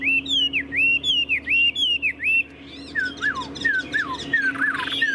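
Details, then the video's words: Tame caged Chinese hwamei singing nonstop: loud clear whistled phrases, each note slurring down then up, repeated in quick series, then softer falling and rising whistles; a steady low hum underneath. "Họa mi đẳng cấp, chim thuần, hót như 1 cái máy"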